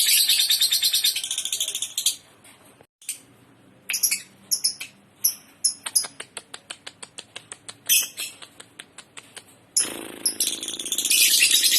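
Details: Lovebird chattering actively: sharp high chirps and rapid clicking notes in quick irregular bursts, with dense shrill twittering at the start and the end, and a brief quiet gap near three seconds.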